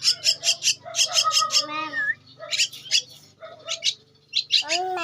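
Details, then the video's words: Feeding of a two-week-old Javan myna chick: clusters of harsh, buzzing begging notes interrupted by gaps, with nearby speech and squeaky voiced sounds mixed in. "Anakan Burung Jalak Kebo-_Umur 2 minggu"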